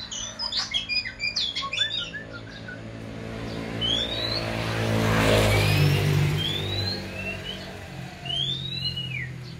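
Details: Oriental magpie-robin raised from young opens with quick sharp chirps, then a swelling rush of noise, then clear rising whistled notes near the end over a low hum.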